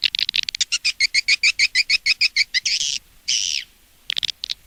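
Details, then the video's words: Edible-nest swiftlet lure sound from Indonesia, played outside a nest house to attract swiftlets: a fast series of sharp, two-toned chirps, about three per second, then a few longer buzzy rasping notes and scattered clicks. "âm yến ngoài nhà"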